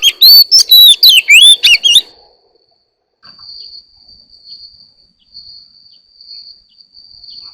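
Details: Oriental magpie-robin singing in the morning: a two-second burst of loud, sweet whistled notes and rapid varied phrases, followed by quiet with a faint steady high whine.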